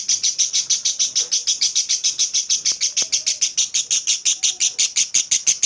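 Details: Clear ngekek chatter from a lovebird, the long song meant to set other lovebirds chattering: a fast, even string of sharp high chips, roughly three per second, sustained without a break.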